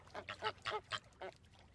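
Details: Flamingo giving a short burst of five or six nasal, honking notes in quick succession, rough and goose-like, then a pause.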